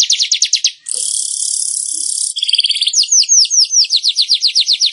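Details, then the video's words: Weaver song used to get kept weavers singing. Quick repeated chirps, then a steady hissing buzz lasting over a second, then a long chain of slurred, descending chirps at an even, rapid pace. "Masteran Burung Manyar super efektif bikin Burung Manyar gacor dan ngeplong"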